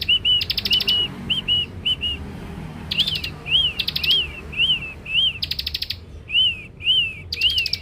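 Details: Young Scarlet-headed flowerpecker singing as a lure: loud, thin high notes, some rising and falling in arches, interspersed with several dry, buzzy rattles in a lively, uneven rhythm.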